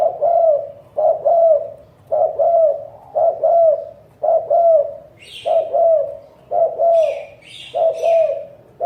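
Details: Steady run of spotted dove coos, each a short note followed by a longer, slightly falling hoot, repeated roughly every second; brief high chirps from another bird join midway.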